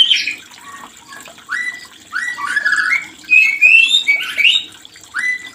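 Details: White-rumped shama sounds meant to prompt mating in a non-producing bird: scattered rising whistled slurs and short chirps with pauses, louder bursts in the second half, over a faint watery background hiss.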